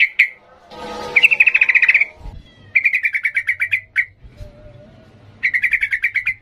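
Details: Yellow-vented bulbul singing in the energetic ngalas style, rapid trilled chatter bursts around a steady pitch, each lasting about a second with short gaps, a brief rough broadband noise early on.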